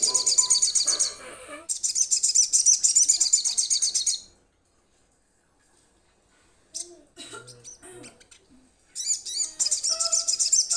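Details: A crimson sunbird calls to its companions with rapid, high-pitched pulsing trills lasting several seconds. After a pause comes a scattering of softer, lower chattering notes, then the piercing trill starts again.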